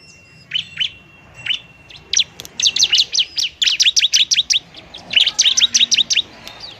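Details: Bar-winged prinia in fighting mood, used as a lure for lazy singers: a few spaced high chirps over a faint steady whine, building into dense bursts of sharp, quickly repeated tweets.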